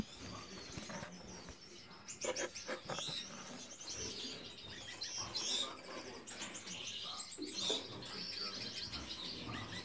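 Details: An agitated family of Gouldian finches (Chloebia gouldiae) gives a busy mix of thin, high chirps and short harsh notes in quick bursts, with wing flutters and a faint background rustle.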